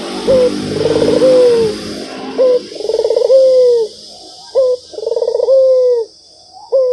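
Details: Barbary dove's melodious non-stop cooing, about four phrases, each a short upslurred note, a throbbing trill and a long, smooth, falling coo, with faint high hiss in the background.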